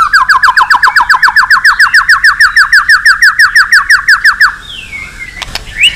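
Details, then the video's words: White-rumped shama singing, used to train and rouse other shamas: a rapid string of identical down-slurred whistled notes for about four seconds, then a faint pause and a short high whistle. "Kích Chòe lửa hót nhiều giọng"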